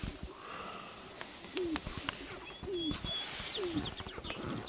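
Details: Sharp-tailed grouse displaying on a lek in Northern Wisconsin, April 29, 2021: three low, downslurred cooing notes about one second apart, with a thin, high whistle from another bird and rustling behind.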